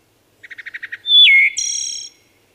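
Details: One phrase from a singing wood thrush: about seven short, evenly spaced low notes, then a loud pure whistle that drops in pitch, followed by a high ringing trill that fades out.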